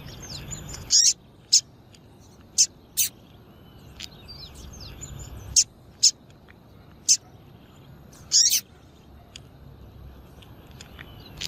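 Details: Female double-collared seedeater calling to excite males, a call used by breeders of tournament singing birds. Sharp, very high, thin chips sound singly and irregularly over a quiet, hissy background. A few notes come as short doubled bursts.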